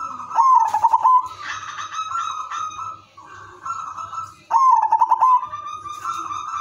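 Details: Zebra dove (perkutut), udanmas silver, singing a lure song so other doves join in; two rounds of fast pulsed trilling coos about four seconds apart, each followed by drawn-out softer coo notes.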